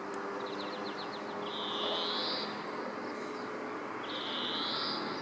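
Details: European greenfinch in Alvor, Algarve, Portugal, 2015: a quick run of short ticking notes, then two long, drawn-out nasal wheezes about two and a half seconds apart, over a soft rural background hiss.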